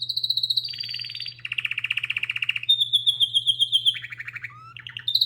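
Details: A singing canary delivers fast pulsed rolls one after another, shifting from a high trill to a lower buzzy roll, then a clear high tour and quick descending notes; constant low hum in the background.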